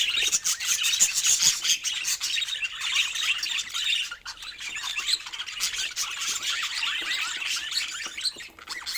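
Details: Busy budgerigar warbling of grating, fast-changing notes and high squeaks continues almost without pause, with a short quieter break near the middle.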